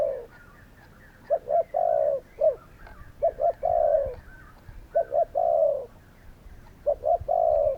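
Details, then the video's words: Spotted doves calling, low mellow cooing phrases repeated about every one and a half to two seconds, each with two quick notes and a drawn-out coo, over faint higher background bird notes. "Spotted doves calling!"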